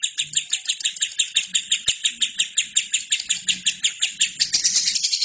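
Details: Lovebird singing a long unbroken chattering trill, used to train other birds: harsh, buzzy notes repeated about three times a second, growing denser and louder near the end.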